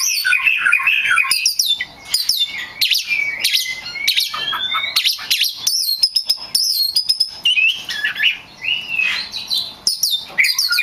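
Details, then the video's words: Oriental magpie-robin, a kept songbird used as a lure to provoke other magpie-robins into singing: rich, varied song of sweet whistles, rapid chirps and rising and falling slurred notes, nearly continuous with brief pauses. "SUARA P4NCINGAN KACER BAHAN / GACOR DIJAMIN LANGSUNG NYAUTT!!"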